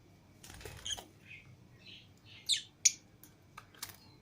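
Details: Indoor lovebirds, including a green Fischer's pair and a lutino pair, flying free outside the cage with other lovebirds, utter quick harsh squawks and buzzy chirps in an uneven burst, with two louder sharp notes near the middle.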